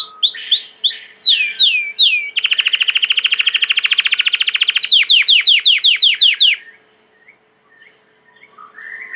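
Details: Belgian canary, a domestic canary, in full song: downslurred whistled notes lead into a long rapid buzzy trill, then a string of sharp descending notes, followed by a short pause and soft notes.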